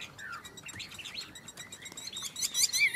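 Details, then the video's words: Two caged Chinese hwamei in a singing contest; a fairly quiet run of varied warbled and slurred notes, building to louder, higher twittering phrases near the end. "Họa mi hót đấu"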